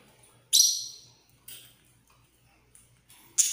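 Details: A pet bird, possibly a lovebird, being given treats gives loud, harsh, high screeching squawks: one long burst, a shorter one a second later, then another after a pause, over a faint low hum.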